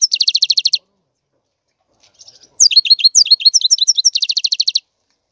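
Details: European goldfinch in full song, a quick rattling trill of repeated high notes, a brief pause, then lively twittered downslurred phrases ending in another rapid buzzing trill.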